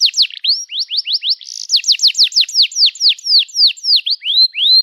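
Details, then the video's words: Lure song of a canary for training young birds to sing: a steady run of sharp, high down-slurred whistled notes, several per second, with a brief buzzy phrase midway and longer swooping notes near the end. "Kenari Gacor Panjang Cuit Cuit Emosi, Pancingan Kenari Paud Belajar Bunyi"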